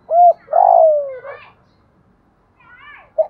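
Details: Decoy spotted dove cooing to make wild doves answer and come in to fight early. A short coo, then a long, loud coo that slides downward, later a brief closing note. Faint chirps from other birds sit in between.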